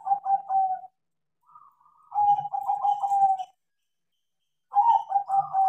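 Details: Crossbred perkutut zebra dove in full song after being trained: three bursts of soft, throaty, trilling coos, each phrase rolling on one steady pitch, with a brief quieter coo between them.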